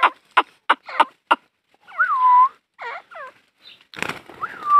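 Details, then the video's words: Female grey francolin calling: a string of five sharp clicking notes, then squealing rising-and-falling whistled calls around the middle of the range, ending with a harsh burst and a drawn-out slurred whistle. "female teetar sound | dakhni teetar female ki awaaz | teetar partridge voice"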